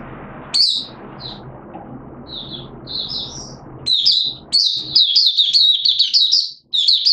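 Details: Singapore recording from 29 March 2023, warm and humid with sudden showers, of a Malaysian Oriental white-eye in 'buka' open singing; sparse, high chirps at first build into a dense, fast, loud twittering warble.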